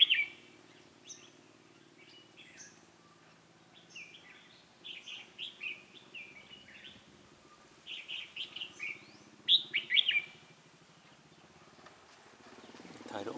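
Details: Decoy red-whiskered bulbul singing to draw wild rivals into a trap, 28 October 2018: a series of quick chirpy, warbling phrases, growing louder toward the end, over a low steady hum.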